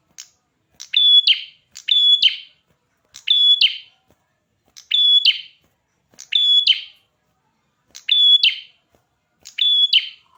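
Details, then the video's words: Red-headed prinia singing energetically, with phrases coming about every one and a half seconds. Each is a short sharp note, a sustained high whistle and a scratchy burst. Clean background. "Burung perjak kepala merah gacor"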